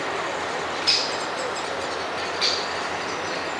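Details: Parent great spotted woodpecker near its nest with chicks gives two sharp, high 'kik' alarm notes about 1.5 seconds apart, warning chicks of a predator such as a waiting magpie, over steady rushing background noise.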